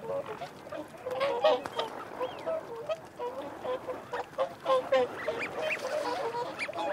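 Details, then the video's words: Feeding and territorial calling from whooper swans with wigeon and mute swans nearby. Overlapping honks come in quick irregular bursts, several birds at once, with a brief thin whistle early on. "Whooper Swan. Feeding Calls & Territorial Calls"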